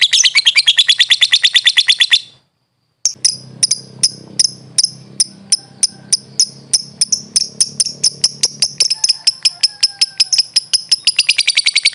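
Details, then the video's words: Lovebird (Agapornis) song used as a training recording: rapid, high, rattling chatter of sharp repeated notes, a brief pause, then a fast series of clipped chirps speeding into a trill. "LOVE BIRD SOUNDS"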